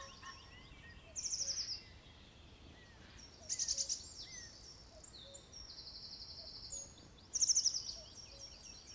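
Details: Several birds in a fog-covered California forest at morning: quick high buzzy trills, a sustained thin whistled note and scattered short chirps, set against constant soft background noise.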